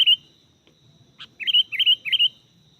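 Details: Sooty-headed bulbul recorded while birds are lured for trapping: a short run of three rapid, loud chirped notes sliding up and down, after a single opening note, with a constant thin high whine behind.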